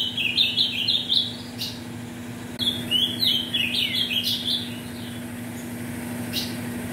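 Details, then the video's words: Caged ultramarine grosbeak bred from mutation parents sings a tournament warm-up. Two fast, loud phrases of high chirped and slurred notes, the second starting after a short break, over a constant low hum. "ESQUENTE seu AZULÃO em 5 MINUTOS"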